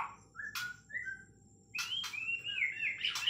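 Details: White-rumped shama from Kalimantan, Borneo, singing: short clear whistled notes, then a rising run of fluty warbled whistles, with two loud broadband clicks in between.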